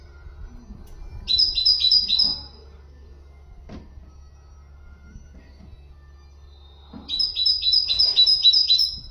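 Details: A common nightingale sings two separate bursts of quick, piercing repeated double notes, with quiet stretches and soft knocks between them. The recording is meant to teach canaries and goldfinches.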